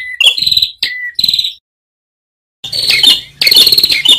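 Ashy tailorbird giving two quick bursts of sharp, high, ringing notes, then a pause, followed by dense trilled chatter over the steady splash of running water.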